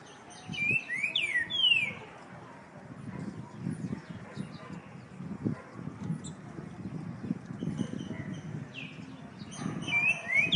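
Green-winged Saltator giving short, clear whistled phrases that slur up and down, one burst at the start and another near the end, over low rumbling background noise.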